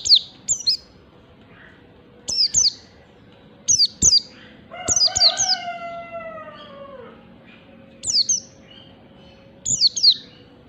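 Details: Oriental white-eye, wild 'ngalas' type, gives regular pairs of bright, high, downward-slurred chirps across the stretch, while a rooster crows once in the middle, a long falling tone.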